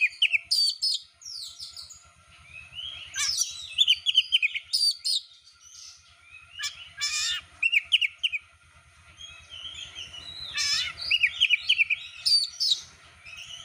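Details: Oriental magpie-robin, a champion competition bird, heard as bait to draw song from another bird: long rich varied song of rapid whistles, trills and harsh buzzy notes in dense phrases, over a faint low rhythmic hum.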